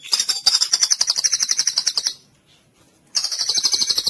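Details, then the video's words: White-rumped shama song meant to stir silent, sluggish caged birds into singing: a fast, high, buzzy rattle of about four pulses per second for two seconds, a short pause, then the rattle again. "Musik terapi untuk murai bisu dan loyo"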